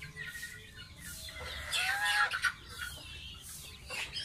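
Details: Gosling kept as a pet, in its bath: rapid, high chirping peeps about four per second, with a loud run of falling notes midway amid water splashes.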